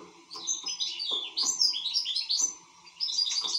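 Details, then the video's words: European goldfinch singing steadily: rapid, jingling, high-pitched twitters and slurred whistles in continuous phrases with brief pauses, accompanied by soft clicks and a low hum. "حسون شغال"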